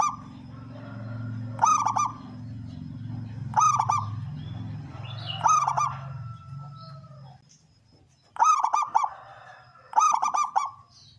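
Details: Male local zebra dove giving its loud 'kung' song, used as a lure to draw wild doves. Rapid, stuttering coo phrases repeat about every two seconds, pause near eight seconds, then resume over a steady low hum.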